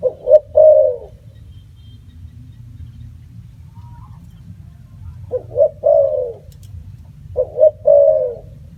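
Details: Spotted dove cooing: three phrases of quick short notes ending in a long falling coo, separated by pauses, with a faint chirp in between.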